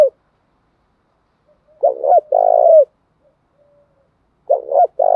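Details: Spotted doves, male and female, calling to stimulate cooing; a clipped coo at the start, then one full phrase of a short double note and a longer hoarse coo, a faint soft note, and a final partial phrase.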